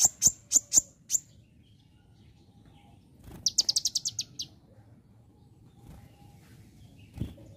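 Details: Konin singing energetically and copying ciblek (bar-winged prinia) phrases: four sharp high notes, a pause, then a quick descending burst of about eight high chips, followed by quiet low background noise.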